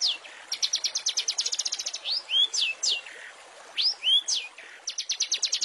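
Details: Long-tailed shrike song used as a master recording for training murai and other small songbirds: fast runs of high, evenly repeated chips broken by sweeping slurred whistles that rise and then fall, over a steady hiss.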